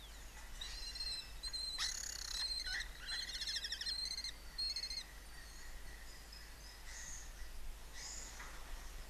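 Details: Lesser kestrels at a colony of nest boxes in Cabañeros National Park, Castilla-La Mancha, Spain, around mating, give harsh, rapid chattering calls with rasping, buzzy bursts over several seconds against a low, steady background hum.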